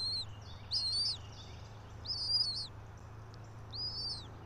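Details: Bald eagle at a nest atop a pine about 90 feet up in Johnson City, Tennessee, 3 April 2024, 06:28; a few high, squeaky whistled chirps in short bursts separated by pauses, over a low steady drone.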